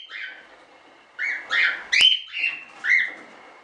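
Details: Standard cockatiels from a small hobby breeding of show birds, kept in captivity: a series of short, harsh, warbling chirps, five calls in under four seconds, with a sharp click midway and a quiet background.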